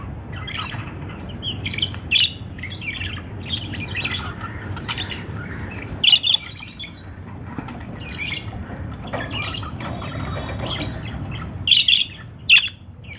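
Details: Lovebirds calling with sharp, high chirps and short squawks, some in quick pairs, spread across the recording over a steady low rumble.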